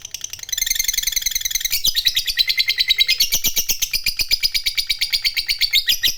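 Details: Fighter lovebird delivering ngekek panjang, a lure recording for hobbyists' birds: a rapid rattling high chatter that shifts pitch slightly midway and continues without pause, with a faint low hum under it.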